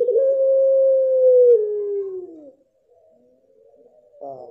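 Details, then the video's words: Puter pelung dove ending a long sustained coo that bends gently downward and fades, followed by a faint quiet trailing note and the stuttered start of a new phrase. "9 Puter Pelung, suara dan karakter berbeda"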